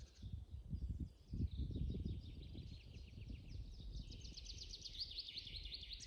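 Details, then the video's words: Birdsong in a spring forest for relaxation: rapid high twittering trills, a fast repeated series building toward the end, over heavy low rumbling and rustling noise in the first half. "Пение птиц в весеннем лесу"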